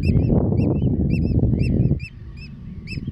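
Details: Eurasian oystercatchers, Terschelling, the Netherlands, on grass and mud: rapid shrill kleep calls, close to four a second, over a loud low rumble that drops away halfway through.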